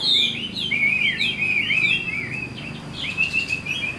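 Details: Chinese hwamei, an old wild-caught bird with a good voice, singing flowing whistled notes that wave up and down, followed by a softer warbled phrase, over faint background hum.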